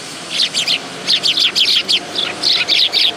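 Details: Willow tits at a bench feeding spot at a Tenmangu shrine on 10 August 2022, giving rapid runs of high, sharp chips in tight groups of three to five, nearly continuous with short gaps.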